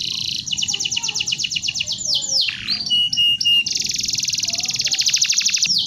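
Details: Canary song used as tutor recording for training birds: fast high rolling trills and rapid repeated notes, a sweeping downward slur midway, then a long buzzy trill of quick pulses over a steady low hum.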